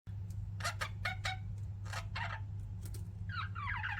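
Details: Pet budgies chirping: a run of short, sharp broadband chirps, then a rapid twittering warble near the end, over a steady low electrical hum.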